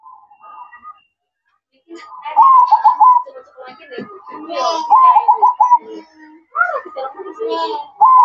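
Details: At night, a zebra dove sings its manggung cooing: repeated trilled, bubbling coo phrases broken by short gaps, with human voices talking over parts of the song.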